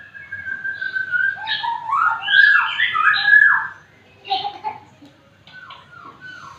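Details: Magpie-robin singing undisturbed while small children play nearby; clear whistled phrases, some long and level, others sliding and warbled, with a pause near the end before softer, falling notes. Faint indoor background.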